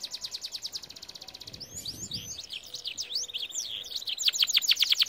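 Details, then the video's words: Canary training song: a quick high trill gives way to tangled swooping whistles, then a sustained buzzy tone and loud rapid chopped notes. "Most powerful song for training Canary"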